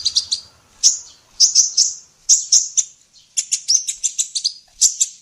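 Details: Female olive-backed sunbird in full song, intended for training songbirds: thin high whistled notes and clipped tweets in short groups, ending with a faster chattering series.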